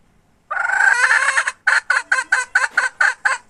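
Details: Hen recorded in 2021 gives a drawn-out raspy squawk lasting about a second. Then come about ten short, harsh pulses, roughly four per second, in a steady cackling rhythm.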